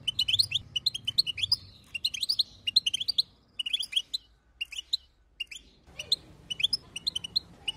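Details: European goldfinch female chatter to get the male singing; quick high tinkling twitters in clusters, thinning out briefly before resuming.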